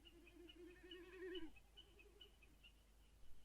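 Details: Short-eared owl in Iceland: a low, wavering hoot held for about one and a half seconds, followed by faint, thin higher notes in the background.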